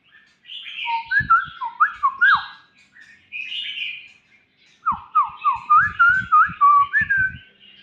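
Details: A young white-rumped shama sings varied whistled phrases: a bright burst of rising and falling notes, a pause, then a run of quick downward-slurred whistles repeated rapidly, with faint higher chatter behind.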